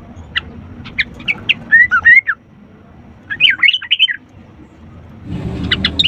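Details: Sooty-headed bulbul, recorded as a lure to make lazy birds sing: scattered sharp chirps, then slurred rising whistles and a burst of chattering notes, with rumbling background noise growing louder near the end.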